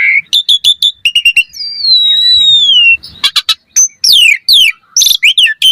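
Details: Asian pied starling song for provoking a reply: quick repeated chips, a long clear whistle drawn slowly downward, then a flurry of high sliding whistles and sharp notes.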